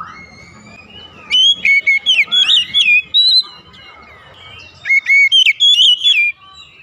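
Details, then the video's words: White-rumped shama, morning song: after a soft rising whistle, loud fluty phrases of quick slurred notes come in two groups, with light background rustle between them. "TERAPI OCEHAN KACER DI PAGI HARI"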